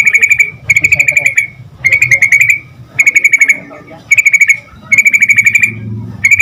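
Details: Persistent yellow-vented bulbul song meant to prompt quick replies from other bulbuls: buzzy pulsed rattles, each under a second, repeated steadily with short gaps, and a low hum underneath.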